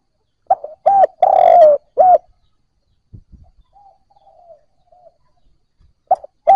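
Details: Spotted dove cooing to stimulate newly caught birds: one loud phrase of short notes, a long descending coo and a final short coo, then faint distant coos and light clicks, and the next phrase starting.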